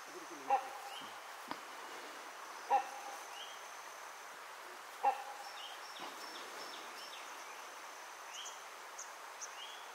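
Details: A male great hornbill, perched on the highest branch in dense high-canopy forest of Nameri National Park, calls loudly for a female. It gives three loud, abrupt barking notes about every two seconds over thin high whistles from other birds and insects.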